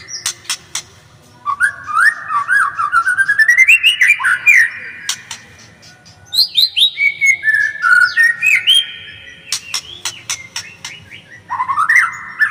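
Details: White-rumped shama song: long, varied phrases of rich whistles and rapid stuttering notes that climb step by step, broken by sharp clicks and short pauses.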